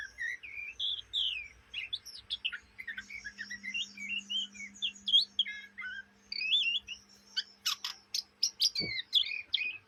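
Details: Ngriwik chattering of a young Oriental magpie-robin from Kalimantan, Indonesia, heard day and night: dense, varied whistled twitters and slurred notes, ending in a burst of sharp clicking notes and a brief knock.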